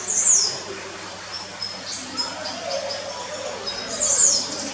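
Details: A free-flying red siskin sings inside an aquarium building at Zoo Zürich, Switzerland, on 29 March 2018, with short, very high twittering bursts and a quick sweeping note between them, over steady background hiss.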